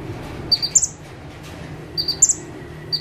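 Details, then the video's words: Bar-winged prinia singing from a single perch: two high phrases about 1.5 seconds apart, each a pair of quick thin notes and then a bright upslurred whistle, over a low background hum. "KONIN GACOR FULL TEMBAKAN - CIBLEK / PRENJAK TEBU"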